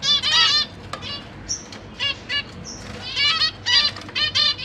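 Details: Zebra finch family in a big cage where parents feed their newly fledged babies: bursts of nasal trumpet-like calls with rich harmonics, a couple of thin high whistled notes between them, then more buzzy calls in a tight sequence.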